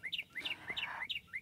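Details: Northern mockingbird, a permanent resident, singing from its tree by the water's edge at a New Jersey reservoir: clear whistled notes rising then falling, repeated about three times per second in a steady run.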